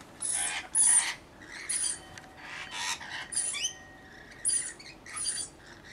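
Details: Rainbow lorikeets squawk while bathing and feeding. Loud, grating bursts come every second or so, some with a thin high whistle on top. There is faint background hiss.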